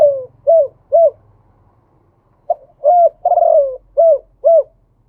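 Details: Male spotted dove singing in the khu ang style with a double-note khan yon delivery: two arched coos, a pause, then a short note, a coo, a long drawn falling coo and two more coos, over a faint low hum.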